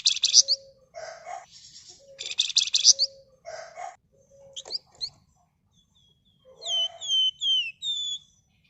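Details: Red-whiskered bulbul singing in dense 'ngebren' and 'nyerecet' style, suitable as a lure: harsh, rapid chattering bursts first, then a series of high, clear downslurred whistles near the end.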